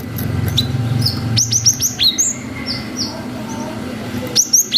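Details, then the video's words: Cinereous tit in full song, a lure recording to stir young birds to answer with long wucit notes: sharp, high, down-slurred whistles in bursts, plus low background hum. "GELATIK BATU GACOR WUCIT PANJANG"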